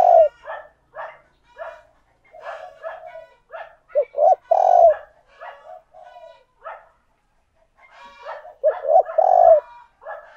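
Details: Decoy spotted dove cooing to call and lure other doves: low, mellow phrases of two short notes and a drawn-out coo, loudest near the middle and end, among many fainter overlapping calls.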